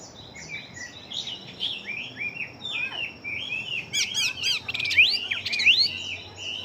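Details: Chinese hwamei kept as a fighting bird, big-bodied and quick to sing. Soft varied whistles give way to louder, rapid, sharply rising and falling notes in the second half.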